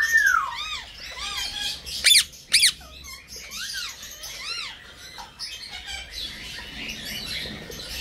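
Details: Senegal parrot, small pet bird, giving a falling whistle, soft arched squeaky notes and two sharp loud squawks, with quiet chatter continuing in the background.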